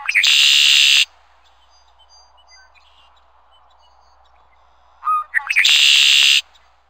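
Red-winged blackbird giving two loud, harsh trilled songs, each opening with short clicky notes and ending in a buzzy rattle, with faint chirps between them.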